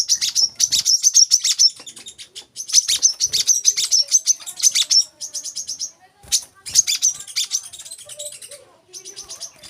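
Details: Olive-backed sunbird, played so young birds learn to sing: bursts of fast, high, buzzy trills and chirps in several phrases separated by short pauses.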